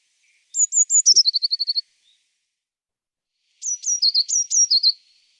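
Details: Eurasian Blue Tit, example recording: high thin notes sliding into a quick descending trill of about ten notes. After a gap comes a second phrase of alternating sharp high and slightly lower notes, about five pairs.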